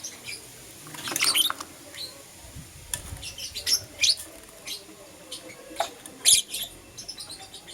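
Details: Pet lovebirds of green opaline and lutino colour forms chirping in the morning: sharp, high, short chirps in scattered bursts, a dense cluster early on, then single notes roughly a second apart over a soft background hiss.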